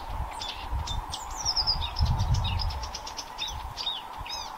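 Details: Song of a Blyth's reed warbler, recorded 26 May 2024 at Haga kile: quick varied phrases of sharp chirps, a descending whistled slur and repeated clicky notes, over a low rumbling background and a steady hum.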